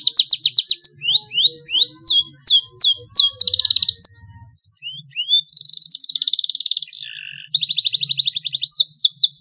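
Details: Young canary practising song and beginning long rolls: fast trills and downslurred whistles, a brief silence, then rolling trilled phrases and a lower buzzy note.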